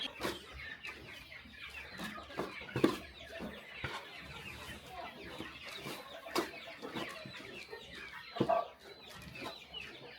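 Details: Small countryside farm at dawn feeding: a chicken flock keeps up steady squeaky chatter and short clucks, broken by scattered loud taps and clatters.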